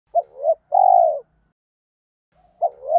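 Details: Captive spotted dove lure voice used to provoke wild males into cooing back: a short two-part coo followed by a long, level, buzzy coo around 700, then the phrase restarting, low-pitched and clean.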